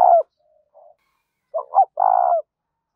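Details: Spotted dove coo used as a lure for wild birds: the end of one purring coo, a soft murmur, then a full phrase of two quick low notes and a drawn-out vibrating coo.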